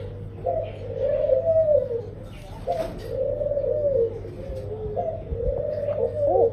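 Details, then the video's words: A tame Laughing Dove (Senegal Dove) in full song gives soft, bubbling coos in three phrases, each rising and falling in a low chuckling roll, over a steady low hum. "Laughing Dove atau Senegal Dove Gacor"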